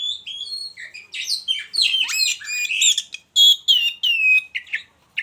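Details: Oriental magpie-robin caged beside a mating partner, singing varied whistled phrases mixed with harsh, grating notes, ending in several loud, clipped, descending whistles.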